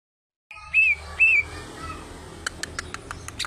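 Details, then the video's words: Greater green leafbird (cucak ijo), a kept bird singing freely: two clear whistled notes, each held briefly and sliding slightly downward, then a run of sharp dry clicks and taps. "CUCAK IJO !!! Gacor"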